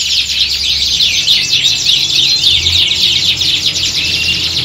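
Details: A canary squad sings in conditions modelled on a singing competition, used as training. Rolling trills with interlaced whistled sweeps form a steady high chorus over a low hum.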